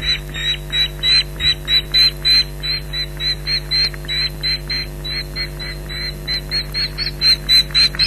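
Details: Osprey alarm at the Loch Garten nest on 15 July 2011, shouting against an intruding bird: a rapid, slightly irregular chain of piercing yelps, some louder than others, above continuous electrical hum.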